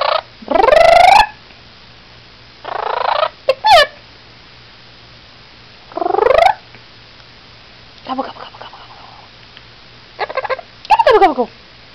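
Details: A rescued blue-crowned conure (a feather plucker) gives loud, harsh bark-like bursts imitating a dog.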